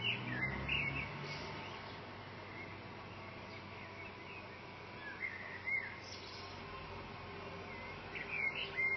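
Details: Male common blackbird singing from the top of a branch outside a window by a desk, in a bout lasting fifteen minutes; short fluty whistled phrases come near the start, around five to six seconds and at the end, over steady background hum.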